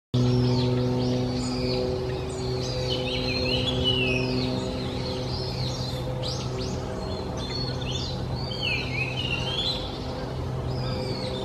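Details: Japanese grosbeak: clear whistled phrases with rising and falling slurred notes, repeated through the recording, over a steady low hum with tonal bands.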